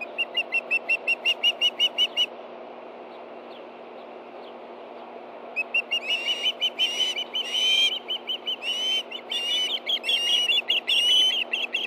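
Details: Ospreys at a Hellgate Canyon, Montana nest, morning of 24 August 2013, excited as a fish arrives for two hungry birds: a quick series of whistled chirps, a pause, then overlapping louder squealing whistles, with constant low hum.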